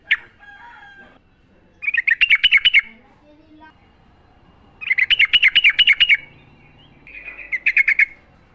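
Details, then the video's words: Sooty-headed bulbul heard in the wild, its song meant for coaching caged birds: three loud, rapid trills of bright buzzy notes, each lasting about a second, separated by quiet gaps with faint lower whistles. "trucukan gacor ngalas full suara alam"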